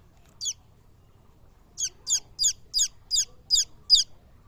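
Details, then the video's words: A lone shrill peep from chicken chicks, a pause, then seven sharp, high cheeps in an even, rapid row. "The Sweet Sound of Hen Babies"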